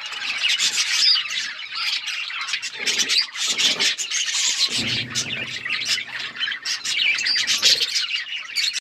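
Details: Budgies eating seeds and chirping nonstop: dense overlapping high chatter, trills and squawks from several birds, with low shuffling and rustling sounds partway through.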